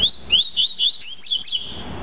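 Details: Double-collared seedeater giving the tuí-tuí song, a rapid chain of crisp, high, rising whistles, about seven notes in two seconds, fading slightly toward the end.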